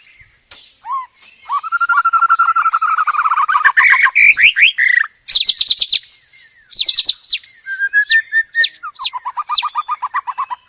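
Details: White-rumped shama (Copsychus malabaricus) sings a loud, varied song for training other birds: rapid low trills, sharp rising whistles and high chattering phrases, changing every second or two.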